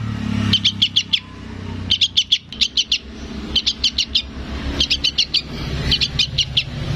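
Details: Fledgling sooty-headed bulbul calling to its parent: five quick bursts of four or five bright, high chirps, set against a steady low traffic-like rumble.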